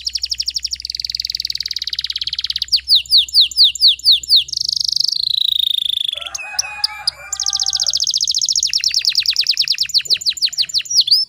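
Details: Loud, varied canary song used to lure non-singing canaries into song: rattling trills, sweeping curved notes in quick series, a harsher lower-pitched burst midway, then long fast rolls.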